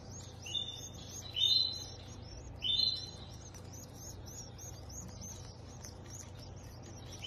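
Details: Motherless canary (Serinus canaria) chicks being hand-cared for give thin, high repeated begging peeps, with three louder rising squeaky bursts near the start, over a low steady hum.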